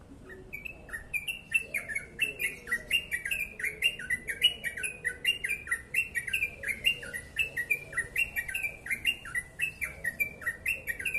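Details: Long ropel-style song of a yellow-vented bulbul delivered fast and tightly packed: a continuous stream of short bubbly, chirping notes alternating up and down, several per second, unbroken throughout.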